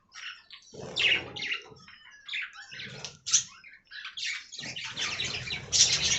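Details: Budgies in an aviary colony make uneven chattering: scratchy squeaks and short warbled notes, some louder bursts near the end.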